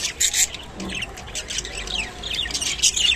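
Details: Pet rainbow budgerigar feeding on kolmi shak, giving rapid high squawks and chirps in quick clusters, with a short lower murmur near the start.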